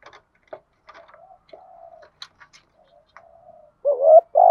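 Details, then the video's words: Decoy spotted dove used to attract wild doves: scattered faint clicks and soft murmured notes, then a loud low coo begins near the end, a wavering hook followed by a sustained note. "chim cu mồi thúc gù bài bản nhất hiện nay, tiếng chim cu gáy kích bổi hiệu quả nhất bản làng"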